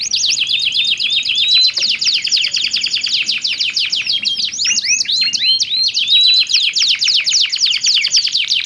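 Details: Two domestic canaries in full song answer each other with different voice tones: fast high trills and rolling chirp series, with clear rising whistled notes near the start and again later, sung without pause.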